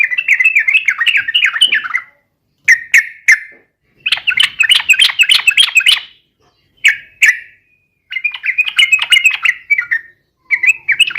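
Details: Yellow-vented bulbul (trucukan) in spirited fighting song to provoke rival birds: alternating long chattering phrases and short clipped two-note calls, repeated throughout with brief gaps.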